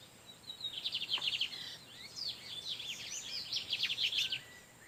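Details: [1, 'Lined seedeater males in the wild trading song in the background while a female incubates on her nest. Rapid, bright, high phrases of quickly repeated buzzy notes run for about four seconds, overlapping with slurred whistles.']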